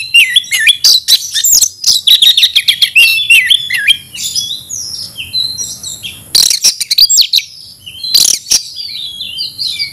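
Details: Fighting song of an aggressive Oriental magpie-robin. Fast twittering chatter opens, followed by drawn-out whistles and sharp, scratchy bursts repeated at intervals.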